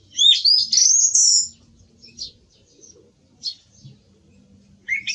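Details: Song thrush giving a loud, bright, rising whistled phrase, then quieter, thin high notes spaced apart, ending with a short louder phrase.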